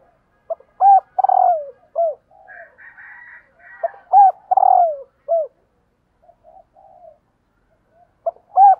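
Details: Female spotted dove calling to stir up males, giving soft cooing phrases: two quick hooked notes, a longer falling slurred coo, then a clipped final note, repeated about every four seconds with faint chattering in between.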